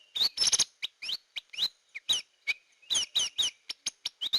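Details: Hair-crested drongo lure sound: a rapid, uneven run of bright, clipped chirps, many sweeping upward, with short gaps between notes.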